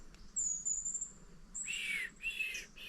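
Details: A Shining Bronze Cuckoo in wet sclerophyll forest in Australia, calling all morning, gives clear, slurred wavy whistles in quick succession, with a thin, very high whistle from another small bird before them.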